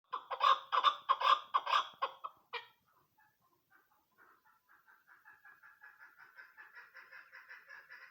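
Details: Female chukar partridge used as a hunting lure: a burst of loud, harsh clucking notes in quick succession, then after a brief pause a softer, steady series of chuck notes that gradually grows louder.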